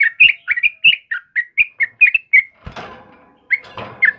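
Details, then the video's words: Sooty-headed bulbul singing in the morning: quick bubbly two-note whistled phrases, rising and falling, repeated about twice a second, then a burst of rustling noise before the notes resume. "suara burung trucukan GACOR PAGI HARI"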